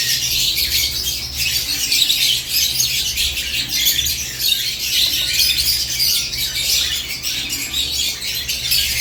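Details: Morning chatter of lovebirds kept in a cage: unbroken high, squeaky twittering from several birds at once, busy and even in loudness, faint low hum beneath.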